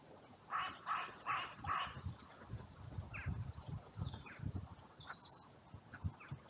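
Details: Crows at a cemetery in sunny weather, trail camera recording, calling out after a brief fight between two crows drew others in from every direction. Four quick hoarse caws open, followed by low thuds, scuffling and faint distant calls.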